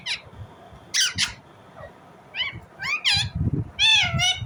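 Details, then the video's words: Indian ringneck parrot chirping in its natural voice: short scratchy notes, then upswept and bent harmonic squawks growing louder toward the end, with soft low bumps behind. "Indian Ringneck parrot Natural sound, parrot chirping sound"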